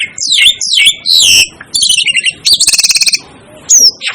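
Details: Asian glossy starling with loud, falling squeaky whistles, a harsh squawk, then a fast dry rattle of about a dozen ticks and a final thin downslurred whistle.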